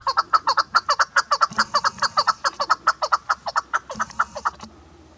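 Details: Female chukar partridge, a hunting decoy bird, giving a rapid series of harsh chuck notes around 140 per minute, strongly pulsed and steady, with a faint low hum beneath.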